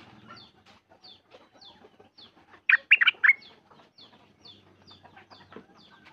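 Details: Sooty-headed bulbul kept at home, recorded 28 December 2019: one loud rapid phrase of three bubbling whistled notes mid-clip, surrounded by repeated thin high chirps from other birds and low background clucking.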